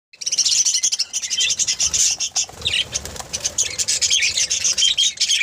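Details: Budgerigars in a new home-made cage chatter nonstop in high, scratchy warbles mixed with sharp chirps and squawks.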